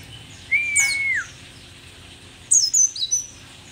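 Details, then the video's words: Old mountain white-eye (pleci dakun) from Merapi, called rare and endemic, still in full voice; a long steady mid-pitched whistle falling at its end, then a quick run of sharp, very high descending notes. "pleci merapi tak kan pernah ingkar janji, tua tua gacor"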